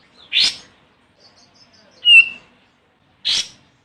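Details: Olive-winged bulbul calling a rival for luring: a harsh raspy note, a clear falling whistled note, then another harsh rasp, in a quiet background.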